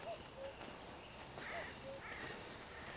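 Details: Common cuckoo calling on 11 June 2023, faint and distant: two low, falling two-note cu-koo calls about one and a half seconds apart, with higher thin song of a common redstart and soft background hiss.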